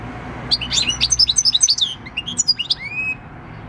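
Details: Field-style song of a six-year-old wild European goldfinch, 26 December 2019: a quick burst of liquid twittering notes ending in buzzy chirps and a long upslurred whistle.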